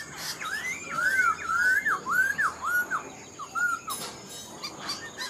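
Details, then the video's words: Black-throated laughingthrush, an older wild-caught bird only partly tamed and kept caged, whistles a loud series of rounded, rising-then-falling notes in quick succession, pausing briefly before one more phrase. "Khướu bạc má mộc dở chim già rừng, hót tốt giọng hay"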